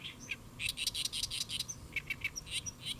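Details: A Great reed warbler perched on a lotus leaf, Saemangeum, Gimje, South Korea, 1 July 2024 around 12:10, sings loud, harsh, grating notes in rapid chattering runs with thin high ticks between, over a faint low rumble.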